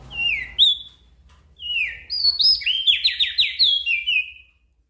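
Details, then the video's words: A Javan grey-throated white-eye gives a lively gacor song meant as a master recording for small birds: two descending whistles, a pause, then a tumbling series of steeply slurred, ringing notes. "Opior Jambul Gacor Untuk Masteran Burung Kecil"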